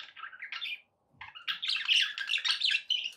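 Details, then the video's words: Budgerigars chattering in loud continuous scratchy warbles and squawky chirps, a short pause after the first burst, then a dense rapid run. "relaxing budgie sounds"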